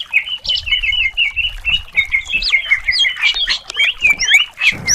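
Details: Greater green leafbird song from a contest-bird training recording, used to stir rivals: a steady chattering warble broken by quick upward-flicked whistles and squeaky notes, faint low rumble beneath.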